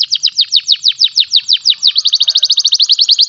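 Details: Canary of the kind called panda, from Pecangakan, Comal, Pemalang, Central Java, Indonesia, sings a rapid trill of high, downward-sweeping notes about twelve per second, then shifts to a faster, steadier, higher-pitched rattle of short notes.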